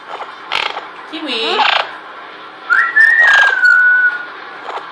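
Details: Pet female parrot giving one of her first whistles indoors: a clear, pure whistled note that rises briefly then holds level and slowly falls, lasting about one and a half seconds, with a woman's voice and laughter around it.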